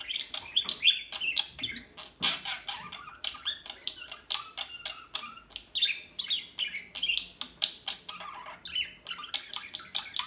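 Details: Busy flock chatter from small birds: rapid, sharp, high-pitched chirps and squawky notes tumbling over one another in bursts across the whole stretch.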